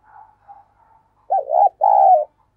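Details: Spotted dove kept as a lure, giving the gáy call to attract wild doves: faint soft notes, then a strong double coo, the first part quavering and the second longer and level, in a quiet setting.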